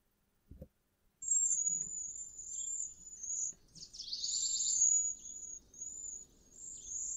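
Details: A group of cedar waxwings, late spring arrivals that gather in larger groups in trees along a river and sing to one another, gives very high, thin, hissing trills almost without a break, with a brief buzzier burst mid-way, after a soft thump.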